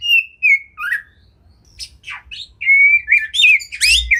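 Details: Oriental magpie-robin (kacer) masteran song with tembakan fills: clear drawn-out whistles and downward slurs, a short pause, then scratchy notes and a fast, rising, mixed burst.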